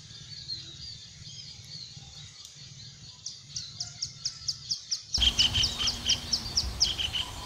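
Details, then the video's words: Javan kingfisher in a rice field, watching for prey. Loud, sharp, rattling notes repeat about four times a second in a steady series. They start faint and grow much louder toward the end, over a low background rumble. "Suara burung tengkek cekakak jawa ditengah sawah sedang mengintai mangsa"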